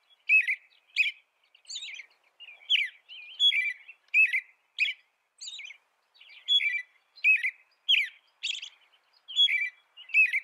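American robin singing a steady run of clear, warbled phrases, each under a second, rising and falling, with brief pauses between them against a quiet background.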